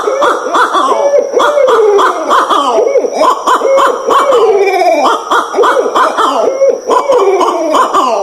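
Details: Barred owls calling in a loud, overlapping chorus of wavering hoots, cackles and sliding, descending wails, with no clear pause, including songs and mating calls.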